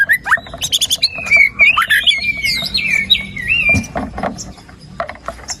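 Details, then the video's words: White-rumped shama song meant to prompt a lazy bird into singing: bursts of sharp chips leading into a long rich run of warbled, looping whistles, then scattered softer notes. "PANCINGAN MURAI BATU GACOR"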